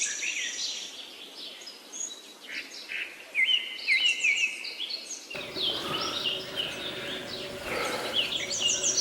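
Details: Birds chirping in jungle hills: scattered quick chirps and slurred whistles from several birds, then a busier stretch with louder rustling background noise and overlapping calls.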